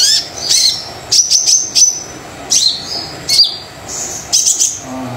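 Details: Lure song of a very vocal Brown-throated sunbird for reluctant birds: sharp ticks and thin, high whistles, some dropping in pitch, in uneven clusters with short quiet gaps.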